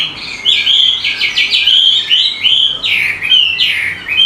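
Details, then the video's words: Bird chirping in quick trilled phrases of high, bright notes, with short rising and falling twitters repeated with brief pauses. "Suara burung berkicau"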